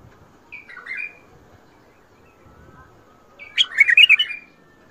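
A bulbul sings two short phrases: a soft fluting pair of notes, then after a pause a louder, rich burst of bubbling, warbled whistles.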